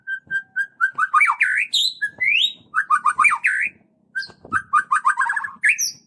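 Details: White-rumped shama (murai batu) singing a 'cess plengg' style song used to provoke other shamas into singing: steady repeated whistled notes that break into fast warbling trills, rising buzzy sweeps and sharp high chips, with short pauses between bursts.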